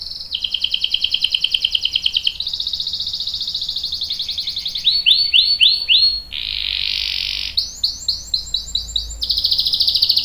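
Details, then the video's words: Canary song in rapid rolled trills and chattering phrases, high-pitched, switching tours every second or two, with a brief buzzy note mid-way. "KENARI GACOR CUIT CUIT bikin NYAUT ikutan BUNYI Ngerol panjang | CANARY SINGING"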